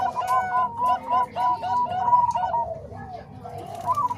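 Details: Zebra doves, combined Bangkok and Cemani Kolbuntet voices used for training other doves: rapid, mellow cooing in short rolling bursts, repeated quickly with brief gaps and fluttering trills.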